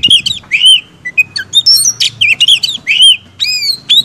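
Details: Vigorous song of an Oriental magpie-robin meant to provoke other magpie-robins: sweet slurred whistles and upswept notes alternate with short metallic chips and a scratchy burst, phrases separated by brief pauses.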